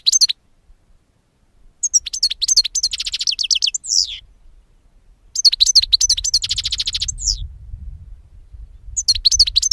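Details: European goldfinch singing, intended for bird capture: lively phrases of rapid high twitters and a rolling buzzy trill, repeated after a pause, with faint low rumble behind.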